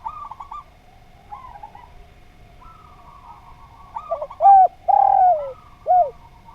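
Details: Lively spotted dove (derkuku) song on a training recording meant to teach other birds; soft distant coos lead into one loud phrase of short hooting notes and a long sliding croon.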